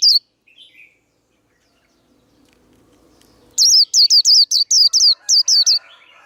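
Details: Cage-bird training recording of a Japanese white-eye's 'líu đấu' fighting song. A brief high note and faint twitter give way to silence, then a fast run of about ten piercing, down-slurred chirps.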